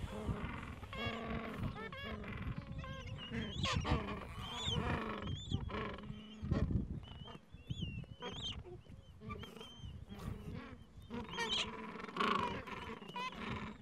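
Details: Falkland Islands gentoo penguin colony, mild afternoon, adults with two-to-three-week-old chicks; bursts of pulsed braying and sharp squawks from many birds, interrupted by brief lulls and low background rumble.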